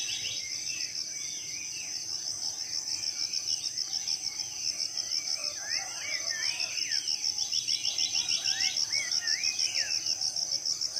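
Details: Morning birdsong in a tropical rainforest in Southeast Sulawesi: scattered short whistled and chirped phrases, some rising and falling, over a loud, steady, high-pitched pulsing insect drone throughout.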